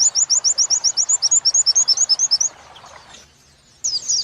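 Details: Oriental white-eye training song for captive birds, 'wit wit' joined with 'kuntilanak' material: about eighteen sharp, high, rising chirps in a rapid run lasting two and a half seconds. A quiet gap follows, then a short high burst.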